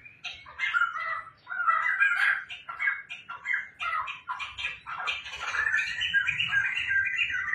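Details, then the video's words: Home-kept laughingthrush in full, lively song: bursts of rich, chattering, warbled phrases in quick succession with brief pauses between, ending in a sustained run of jumbled whistles. "poksai gacor bikin ramai rumah | poksai lulut dan gacor"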